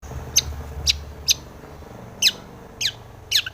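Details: Long-tailed shrike, a lure bird meant to provoke other shrikes into singing and agitation, giving six short, harsh, scratchy high notes spaced irregularly about half a second apart over faint low background hum.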